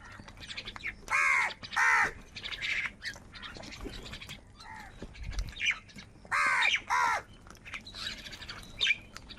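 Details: Crows fighting for food give harsh, hoarse caws in short paired bursts, with long pauses between them and a busy background of fainter chatter.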